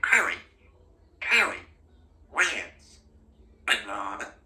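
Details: Pet female Congo African grey parrot in a cozy country home, very chatty and practising speech: four separate raspy, voice-like utterances about a second apart, each a broad harsh burst, against a quiet indoor background.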